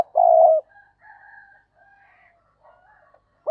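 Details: Decoy spotted dove calling to lure other doves: one loud, low, hollow coo of about half a second, then faint, softer cooing notes and a brief final note.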